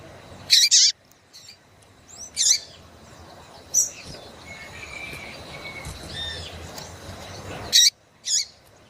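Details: Female yellow-bellied seedeater calling to excite males: short sharp high chips and twittery notes at intervals of a second or more, with faint thin whistles and a low background hiss between them.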